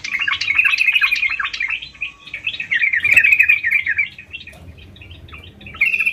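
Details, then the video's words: Lively (gacor) song of a sooty-headed bulbul: two long, fast bubbling phrases of rapid chirps at a steady high pitch, then a quieter gap before a final burst of notes. "Burung Trucukan Gacor"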